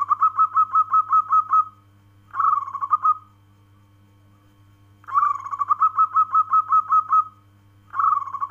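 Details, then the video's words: Local zebra dove (perkutut) giving its call: four bursts of rapid, bubbling coo notes, each a quick trill of about eight to twelve pulses, with short pauses between, over a constant low hum. "Suara panggilan perkutut lokal alam kristal"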